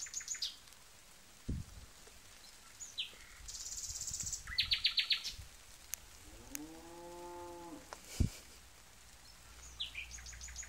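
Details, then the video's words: Nightingale song of varied phrases: short fast trills and rattling bursts, high chirps and sharp clicks, broken by a low, rising-and-falling harmonic tone in the middle and a loud thud. "Nightingale's sound & song"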